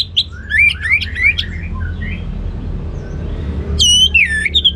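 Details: Orange-headed thrush singing ngeplong: bright, varied whistled phrases with rising and falling slurs. A brief pause filled with faint distant calls, then a fresh burst of loud swooping notes, over steady low hum.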